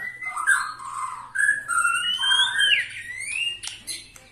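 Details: White-rumped shama aged 21 years sings smooth, clear whistled phrases that rise and fall gently, with soft high overtones and a few sharp notes near the end.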